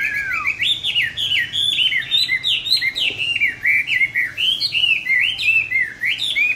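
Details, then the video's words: Caged songbird, purchased 19 May 2020 and regularly fed, said to sing anywhere and anytime. A continuous, lively stream of looping, slurred whistles, rising and dipping, fills the whole stretch without pause. "cám ổn định hót mọi địa hình ,mọi giờ giấc"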